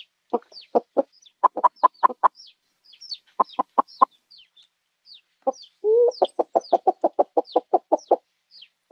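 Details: Farm chickens giving bursts of quick, clipped clucks in runs of three to six. One longer rising squawk comes near six seconds, then a fast string of clucks. Thin, high chirps flicker in the background.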